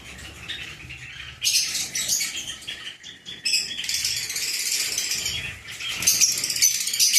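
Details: Lovebirds giving shrill, high-pitched chattering calls in dense bursts, quiet for the first second and a half, then sustained noisy twittering with brief pauses and faint rustling.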